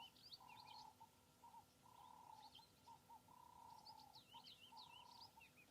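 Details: On a cloudy, cool early morning at sunrise on an African safari, many small sunbirds give thin, very high twittering calls in quick scattered bursts. A steady, lower humming tone runs beneath, with faint background noise.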